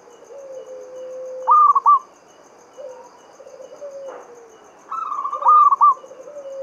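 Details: Local Javanese zebra dove song in the Mataram standard style, played as a lure to prompt other doves to sing. Lower drawn-out sliding coos run underneath two bright, stuttered three-note phrases, with faint high ticking behind.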